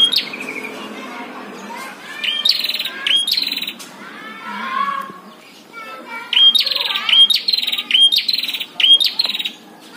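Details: Prinias in a fierce singing duel between a caged and a wild bird: sharp upswept notes run into buzzy trills near 4k, in repeated bursts with quieter softer warbles between.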